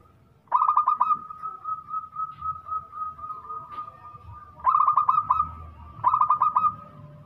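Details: Loud local zebra dove in full song: a brisk burst of clipped, bubbling coos, a long lull with a steady background whine, then two more rapid rolling phrases close together.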